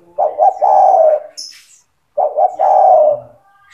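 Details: Spotted dove singing, song meant to train young doves: two short soft coos leading into a long, slightly falling coo, the phrase given twice, with a short high squeak and faint other birds behind.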